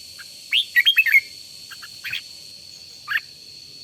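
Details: Red-whiskered bulbul decoy trained to sing hard in the morning gives one quick burst of five lilting whistled notes, followed by a few soft isolated chirps, with a persistent thin electronic-like tone underneath.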